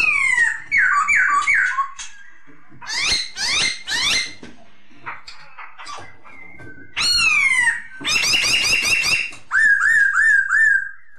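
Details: Masked laughingthrush (poksay hongkong) vocalizing as a therapy sound for kept birds: wavering whistles, harsh rasping squawks in three bursts, a sliding whistled note, a buzzy chatter, then a rippling whistled trill.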